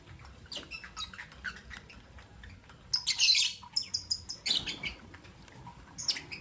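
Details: Morning chirping of caged pet lovebirds, albino and Euwing green opaline: rapid high, scratchy chirps and shrill squeaks in busy runs, with a louder chattering burst midway and quieter tweets between.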